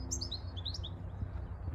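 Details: A male European robin singing in a park, up in a tree, a quick run of thin, high, liquid notes, sliding and varied, over a steady low rumble; he stopped singing when concerned by people.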